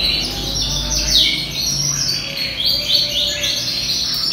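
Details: Caged yellow canary of European origin, around ten months old and singing tirelessly, gives a string of rapid downslurred chirps and high trills in quick succession, steady in loudness.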